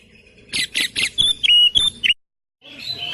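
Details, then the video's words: Three quick harsh chacks lead into bright piercing whistles from an Oriental magpie-robin, a training song for caged birds in the 'tembakan rapat' style; a short silence, then the phrase resumes. "Masteran Kacer Tembakan Rapat"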